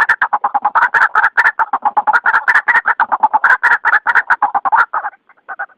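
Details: White-breasted waterhen lure call intended for night use: rapid, harsh clucking notes repeated without pause, each a broad burst, forming a dense croaking chorus that stops briefly near the end.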